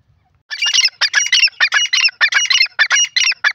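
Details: Francolin giving rapid harsh calls after a brief quiet start: grating, squawking notes in tight bursts repeated roughly every third of a second, steady and insistent, with nothing else audible.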